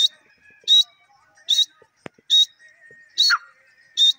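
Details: Grey francolin, called bhura or desi teetar, giving loud high notes repeated roughly every 0.8 seconds, with a faint steady whistle between them and a single sharp click.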